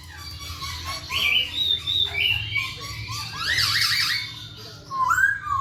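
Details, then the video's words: Masked laughingthrush, known locally as poksay Hongkong, in energetic song: a run of loud, slurred whistles and squawky notes sweeping up and down, ending in a bright rising whistle, over a low steady hum. "KICAU BURUNG POKSAY HONGKONG GACOR"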